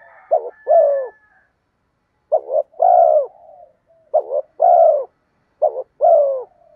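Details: Repeated spotted dove coos meant to draw in wild birds: four low phrases, each a clipped double note and a fuller falling coo, spaced about 1.5 to 2 seconds apart, with a faint thin tone at the start.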